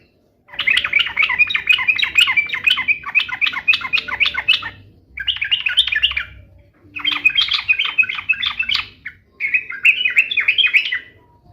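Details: Sooty-headed bulbul, known locally as trucuk, singing to draw replies from kept bulbuls: four long bursts of rapid, harsh, chattering notes, each lasting about two seconds with short gaps between.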